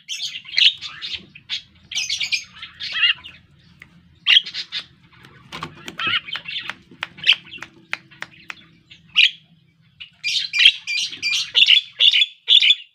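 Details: Javan myna practising its song: long runs of rasping, squawky chatter and dry clicks, with a quieter broken middle section, then a dense burst of harsh notes near the end.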